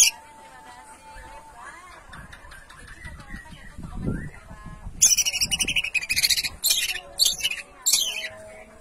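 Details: Greater green leafbird singing in the 'ngentrok' style: after a murky, muffled opening with low rumbling, a dense run of high, harsh, chattering and whistled notes breaks in and continues in quick, uneven phrases.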